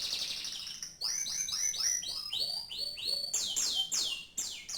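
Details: Canary song built from rapid repeated downward-sweeping whistles, about three per second, dropping in series and then resuming higher and louder toward the end.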